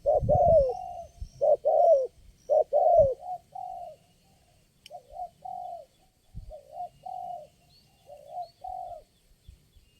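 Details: Spotted dove calls during trapping with lure birds, one responsive wild bird present: loud rolling coo phrases repeated about every second at first, then quieter, softer coo groups after a pause, with a faint sharp click midway.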